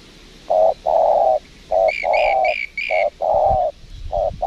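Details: In Lombok, a spotted dove at a windy trapping site coos back at a lure bird in low, rounded short-long phrases, while another bird adds four high, bright chirps midway.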